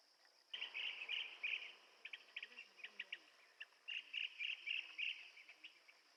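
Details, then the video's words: Blue-tailed bee-eater calling in rapid bursts of short clipped chirps, some runs blurred together, against a constant high insect-like drone. "Tiếng chim Trảu đuôi xanh - Blue tailed Bee eater"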